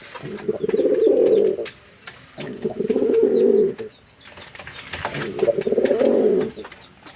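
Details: Fantail pigeon cooing. Three low, throaty rolling coos last about a second and a half each, with short pauses between them. Scattered clicks, rustling and flapping noises can be heard in the background.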